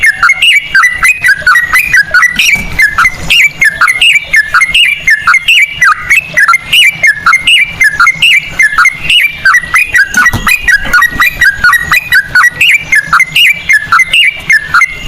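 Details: Sooty-headed bulbul song in ropel style with cucak rowo phrasing, used to lure other birds into song: a long unbroken run of quick, ringing whistles, each note swooping down and up, about four a second.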